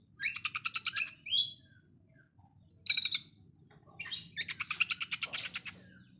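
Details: Rough machine-gun song of an Oriental magpie-robin, likened to a sewing machine and meant to make rival birds agitated: three rapid trains of high, sharp clicking pulses, separated by a short whistled slur and brief pauses.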